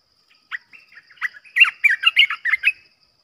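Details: Olive-winged bulbul kept in a cage as a decoy bird, calling to lure others for trapping: a quiet opening note, then a fast run of bright, bubbly, chortling notes rising and falling, with a faint steady high hum behind.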